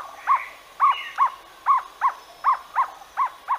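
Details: Jungle owlet giving a steady run of about ten short, barking, arched notes, evenly spaced roughly every third of a second, loud and clear over a quiet background.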